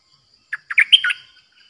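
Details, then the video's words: Short bubbly phrase from a new decoy Streak-eared bulbul in a cage, 6 May 2022: five chirped notes in quick succession, the fourth highest and brightest, in a pure 'open flower' singing style. "เสียงนกดอกแตงEp.106นกต่อใหม่ เจ้าขันเงิน เปิดดอกล้วนๆ Birds sounds suara merbah lekir"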